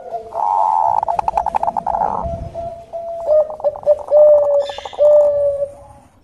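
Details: Zebra dove of the Bangkok type giving lure song for stirring other doves: a buzzy, pulsing coo opens, followed by a series of short, level, mellow notes spaced about a second apart.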